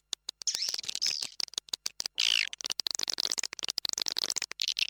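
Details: Raja Liur lure call of swiftlets taken from an occupied swiftlet house: crowded high chirps and trills overlapping, one loud rasping squeal around the two-second mark, with choppy silent breaks between bursts.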